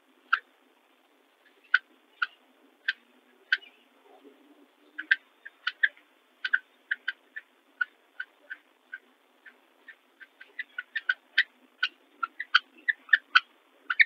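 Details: Northern cardinal pair at a nest, the brown female sitting on eggs while the red male brings her food: sharp metallic chip notes, single and in quickening runs, clean quiet background.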